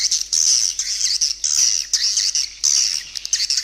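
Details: Swiftlet lure call meant to draw edible-nest swiftlets to nest: high, hoarse chattering bursts about a second long, repeated with short gaps, several overlapping voices.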